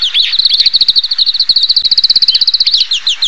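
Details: Oriental greenfinch (Chloris sinica) singing a fast, buzzy trill of short, evenly repeated high notes held at a steady pitch for about three seconds, with a few louder slurred notes at the start and end.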